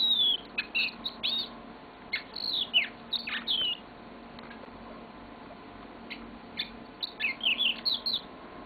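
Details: Yellow-fronted canary kept as a pet, delivering a long song in bursts: bright chirped notes and swooping whistles, then a quieter pause before another lively phrase begins. Low indoor hum beneath.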